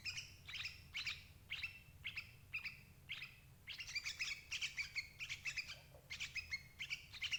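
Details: Sooty-headed bulbul as a trapping lure for adult birds: evenly spaced single chirps at first, building into a faster, denser chatter of bright notes in the second half, with faint hum beneath.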